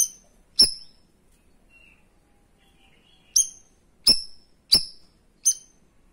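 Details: A cream-striped bulbul, known locally as cucak rawis, fires 'tembakan' shot notes for training other birds: one piercing high note, a pause of nearly three seconds, then four quick sharp notes in a row.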